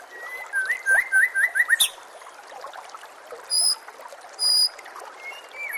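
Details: White-rumped shama song for training caged birds: a short run of quick, evenly repeated whistled notes, then a pause and a couple of thin high tones, over trickling water and nature sounds.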